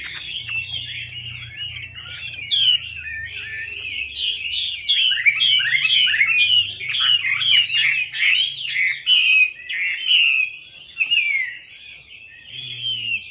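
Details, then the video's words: Chinese hwamei delivering a long, continuous lure song, a lively stream of varied whistles, trills and rapid slurred phrases that swell and fade, with a low hum early and near the end. "PANCINGAN WAMBI MACET"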